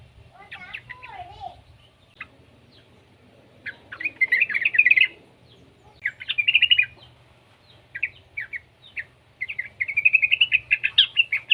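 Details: Juvenile yellow-vented bulbul, used as a lure to make other bulbuls sing; an opening wavy whistle, then separate bursts of dense, buzzy chirping, the last burst a long rapid rattle of bright notes.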